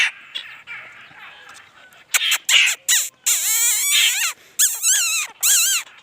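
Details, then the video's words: Laughingthrush in lively song: loud, harsh, rapidly swooping phrases with rich overtones, delivered in bursts separated by short pauses after a quieter, scratchy opening. "khướu hót"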